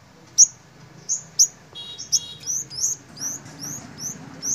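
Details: Flock of five-coloured sunbirds confronting dominant lead birds: sharp, high, rising upswept chirps roughly every half second, some with a brief buzzy note between, over quiet low background hum.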